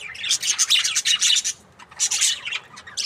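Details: Loud, busy budgerigar chatter from breeding pairs, a continuous stream of high buzzy chirps that pauses briefly near the end before resuming.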